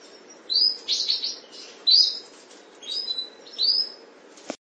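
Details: Canary from a breeding pair giving short high chirped notes in separate bursts with quiet gaps. A single click sounds at the end.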